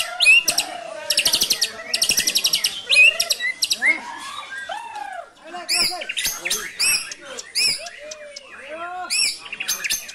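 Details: A white-rumped shama sings energetically, with its repertoire filled with the brantakan style: bursts of fast buzzy high trills alternate with lower, clear slurred whistles, and faint human voices are in the background.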